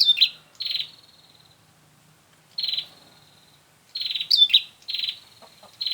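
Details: Lure sound for trapping bar-winged prinias: harsh, rasping high bursts in pairs and triplets, each followed by a fading thin whine, with a two-second gap before a fast cluster of notes near the end.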